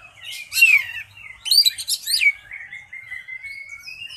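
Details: Oriental magpie-robin singing at a bird singing contest: scratchy, chattering bursts of rich notes, then bright whistled phrases, ending in a long, thin, slightly rising whistle over quiet background.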